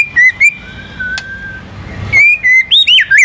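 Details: White-rumped shama, a national contest champion in full voice, sings filler material meant to spur other birds to sing: clear whistled notes near one pitch, a long steady tone, a sharp click, then quick bright rising and falling whistles.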